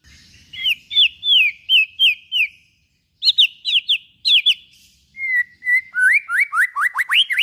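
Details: White-rumped shama song for stimulating other shamas to sing: rapid series of downslurred whistles in runs, then a steady whistle leading into quickening upslurred notes.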